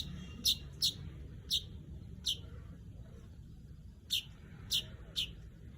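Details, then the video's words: Weaver calling: seven short, sharp, high chirps, a group of three then a pause then three more, spaced about half a second apart over a low background hum. "Crecet .. Cret ..!! SUARA PANGGILAN BURUNG MANYAR"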